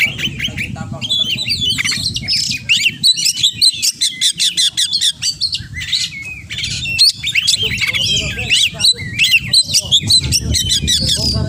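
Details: Oriental magpie-robin in energetic song stuffed with borrowed phrases, a long stream of rapid, sharply repeated ticking notes mixed with whistles and harsh chatters, over a steady hum.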